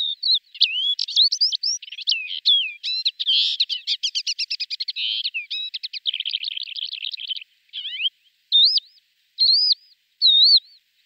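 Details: Flight song of a male lesser short-toed lark, with mimicry included: a long rapid jumble of trills, rattling notes and twisting whistles, then separate looping whistled phrases toward the end; quiet background.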